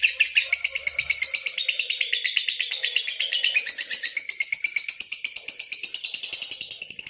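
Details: Lovebird in sustained ngekek panjang, the long trill used to stir other lovebirds into singing, pouring out a rapid, rattling stream of shrill notes without a break for seven seconds.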